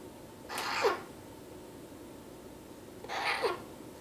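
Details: An eight-week-old female baby Eclectus parrot (Eclectus roratus) gives two harsh, raspy squawks about two and a half seconds apart, each ending in a short downward slur, in a quiet room.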